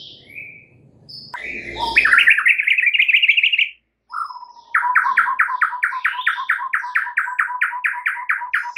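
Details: White-rumped shama singing in the morning, loud and lively: a trilling buzzy phrase held for about two seconds, a short pause, then a long fast series of sharp paired notes repeated about twice per second.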